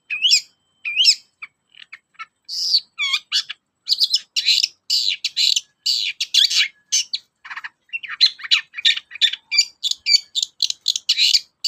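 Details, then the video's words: Long-tailed shrike song, played as a lure to get reluctant shrikes singing: varied, rapid and busy, mixing clear whistled upward sweeps, curling notes and dense scratchy chatter in quick succession. "BURUNG CENDET GACOR, PANCINGAN KHUSUS CENDET MALES BUNYI"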